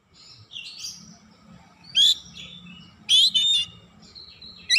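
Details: Oriental magpie-robin singing its repertoire as a lure for other magpie-robins: a soft warble, then three widely spaced bursts of sharp whistled and buzzy notes, with a low steady hum underneath.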